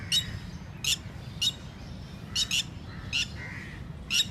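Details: Red-wattled lapwing at a lake in India giving loud, sharp, high-pitched strident notes about every half second, some doubled, over a low rumble of background noise.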